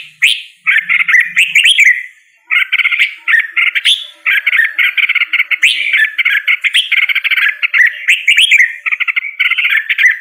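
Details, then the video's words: Singing Red-whiskered bulbul delivering a long, nearly continuous stream of fast, buzzy chattering notes, with only short gaps, and occasional thin higher squeaks mixed in. "Red whiskered Bulbul Singing Call Sound | Red whiskered Bulbul Bird Singing"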